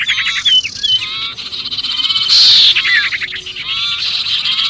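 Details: Agitated sirpu distress chorus, the panicked sound of a bird caught fast, played to attract other birds: crowded rasping chatter with quick bent whistles, broken by a sudden loud hissing burst midway.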